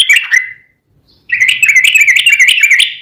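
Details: Sooty-headed bulbul song meant as a lure: a short warbled phrase, a pause, then a continuous lively wavering warble of bubbling notes.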